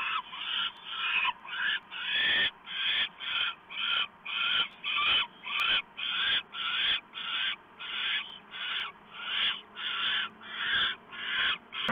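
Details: Owl nest on 1 November 2015 at 7:12 PM as a small mouse is delivered: loud, regular rasping hisses roughly twice a second, steady throughout, with a faint low hum underneath.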